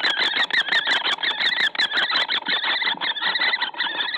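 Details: Common kestrel at a nest watched by webcam in Théding, France, on 4 April 2019, while the nest is being prepared: harsh, rapid, repeated calls run without a break, with scraping and knocking noises in the nest box.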